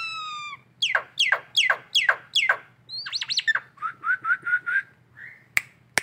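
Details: Collared kingfisher in Indonesia giving the ngekek call in the morning: a nasal note, then five loud descending harsh notes, a quick trill, and a run of short rising chips, with a couple of clicks at the end.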